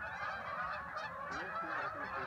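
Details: Canada geese flying south, a flock calling together in a dense, continuous chorus of overlapping nasal honks with no pauses across the stretch.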